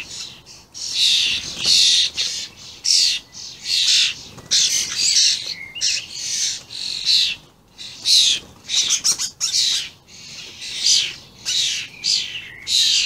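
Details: Common starlings, juveniles and adults, recorded 28 May 2016: a continuous run of rasping, hissing screeches, often under a second apart, mixed with short squeaks.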